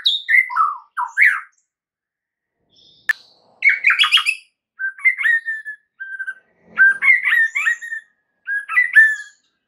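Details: Lure song of a white-rumped shama, meant to make other shamas reply: varied phrases of slurred whistles and chattering notes, with a sharp click and short gaps between bursts.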